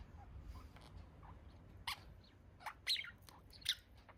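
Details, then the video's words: Budgie chirps: soft, short notes at first, then louder, brighter chirps and squeaks in the second half, over a faint low rumble. "Budgies sound || Chirpy Birds"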